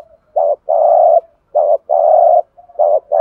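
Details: Decoy spotted dove delivering urging 'thúc gù' coos to provoke other doves: each phrase is a short low note and then a longer steady hoot. Rapid repeats run on without pause, with no other sounds.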